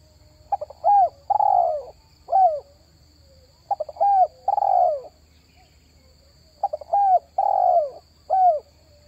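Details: Spotted dove lure call for attracting wild doves: three cooing phrases, each two quick stuttered notes, a short coo, a long rough coo and a final falling coo, separated by pauses of about two seconds over a faint steady hum.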